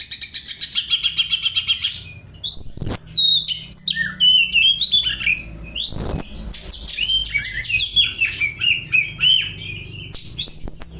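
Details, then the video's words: Oriental magpie-robin mimicking house sparrow calls as tutoring material: a fast ticking series opens, then loud sharp chirps, slurred whistles and chattering phrases follow in dense bursts, with a few soft thumps. "Kacer nembak burung gereja , cocok bwat masteran"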